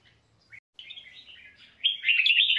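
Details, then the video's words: A red-whiskered bulbul gives a brief chirp, a softer warbled run and then a loud, bright, bubbling whistled phrase, heard clearly over near silence. "Tiếng hót của chào mào huyền thoại"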